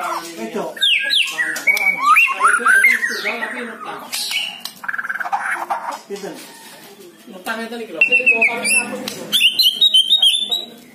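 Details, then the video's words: White-rumped shama song meant to trigger a lazy bird into singing: loud, varied stream of whistles, chatters and slurred notes, dense and continuous with brief quieter gaps, ending in high bright phrases. "Dengarkan DAN Pancing murai batu anda yang Malas bunyi dan Pasti Segera gacor"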